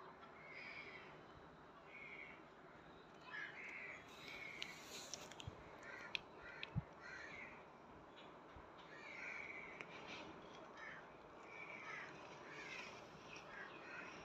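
A cockatiel gives harsh, scratchy calls repeated every couple of seconds over a hissy background.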